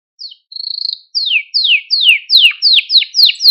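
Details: Canary song used as a training recording to teach young canaries and stimulate them: a short whistle, then a clear held note, followed by a fast run of steeply falling sweeping notes repeated about three per second.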